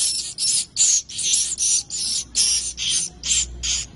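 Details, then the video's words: Swiftlet chicks give rapid, high, hissing chirps in short bursts, about two or three each second, with nothing else heard. "SUARA PIYIK ANAK BURUNG WALET"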